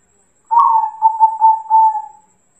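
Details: Zebra dove song played to draw an answering bird: one phrase of mellow pulsed coos, starting with a brief rougher note, then steady rounded beats on a constant low pitch, ending with a longer drawn coo; otherwise silent.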